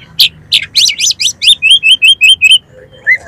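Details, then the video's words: Oriental magpie-robin (kacer) singing, used as a lure to trigger another kacer to sing and spread its tail: a few sharp notes, then a fast run of loud upslurred whistles, repeated about five times per second and ending in one short slurred note. "DALAM HITUNGAN DETIK KACER KALIAN PASTI LANGSUNG ON !!! MAU BUKA EKOR"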